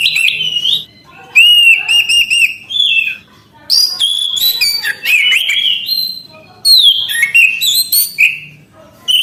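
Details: Orange-headed thrush in full, unbroken song: loud, clear whistled notes, some held steady and others sharply rising or falling, run together with quick chattering elements in lively sequences.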